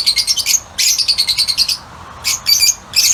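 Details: Shrill, rapid chirps from lutino Fischer's lovebirds in an outdoor aviary, delivered in quick pulsed runs, broken by a pause near the middle before another sharp cluster of calls.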